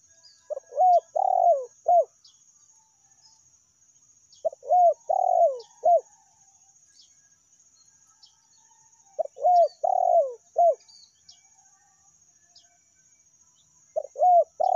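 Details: Spotted dove (tekukur) lure calls, in the angry rival-pressing meratus style and the ordinary melambung calling style. Four phrases of three or four mellow coos, one phrase about every four to five seconds, in silence.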